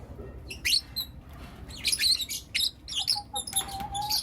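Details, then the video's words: Four young lutino lovebirds chirping in the morning: bursts of high, shrill, scratchy chirps in irregular clusters, with short pauses between groups over a steady low hum. "Lutino LoveBird Chirping Sounds - four Cute LoveBird Kids"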